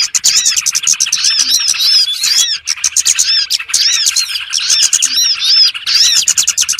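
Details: Small birds call in a trapping lure recording, giving bursts of dense, high twittering and curved chirps separated by short, quieter gaps.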